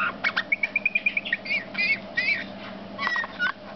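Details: Male Eurasian bullfinch opens with a rapid run of about ten evenly spaced piping notes, then gives longer wavering whistles and creaky bursts, against a faint steady hum.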